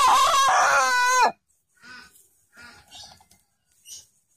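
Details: A black-tongued Ayam Cemani rooster gives the wavering tail of a crow that drops away sharply at the end.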